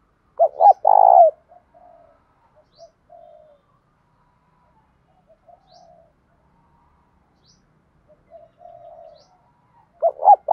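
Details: Spotted dove with a loud, clear 'thổ' style voice, calling and urging a fight: one full phrase of two short notes and a long, buzzy coo, soft quiet notes for several seconds, then a new phrase starting.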